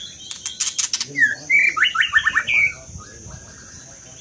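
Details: Scarlet minivet phrase of fast, clear whistled slurs descending in a quick run, introduced by sharp clicks, followed by softer faint notes.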